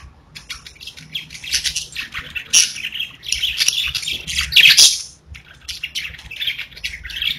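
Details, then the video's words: Pet parakeets singing at home: continuous twittering warble of rapid high chirps and raspy notes, swelling in loud bursts and easing off toward the end. "30 Minutes of Budgies Parakeets Singing, Chirping | Budgie Noises to make them Dance"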